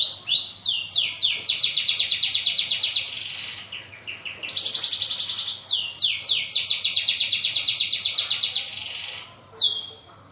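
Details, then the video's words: Local brown canary giving a long rolling song, with loud fast trills of repeated high notes about four per second in two long bouts separated by a short pause, ending with a brief whistle. "SUARA BURUNG KENARI NGEROL PANJANG!"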